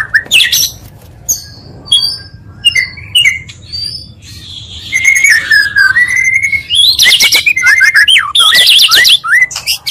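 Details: Oriental magpie-robin song, two singers blended to quickly provoke other magpie-robins: scattered sharp whistles and clicks, then a flowing run of slurred whistled notes with bursts of fast buzzy trills.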